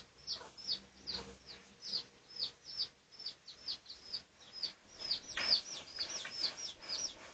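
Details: Research recording of Pradu-coloured red junglefowl on 18 August 2023; separate thin, high, downward-slurred peeps, roughly one per second, crowding together and getting louder in the final seconds.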